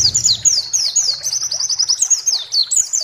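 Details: Lively white-eye (pleci) song for provoking rival pleci to sing: a continuous, high, fast twitter of downward-slurred chirps, with a soft low hum underneath at the start.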